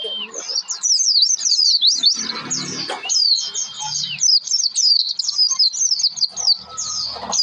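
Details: Oriental white-eye in full song, played to coax other white-eyes into singing: fast, high, scratchy twittering phrases running almost nonstop, with a thin sustained whistle and soft low rumble behind.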